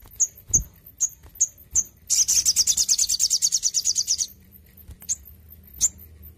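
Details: Song of a crimson sunbird given intensive care: five or six evenly spaced high chips lead into a rapid, rattling high-pitched trill of about two seconds, followed by a few lone chips.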